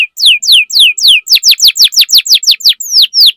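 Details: Canary lure song, played to get other canaries singing: loud, clean whistled notes, each sweeping steeply downward, repeated about twice a second. Toward the end the notes shift to a faster run of shorter descending slurs.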